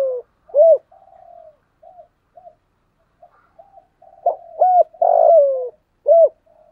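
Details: Decoy spotted dove with a 'giọng thổ sấm' voice used to lure wild doves, giving a sequence of low hollow coos, some short and clipped, one drawn-out and falling, with quieter soft notes between.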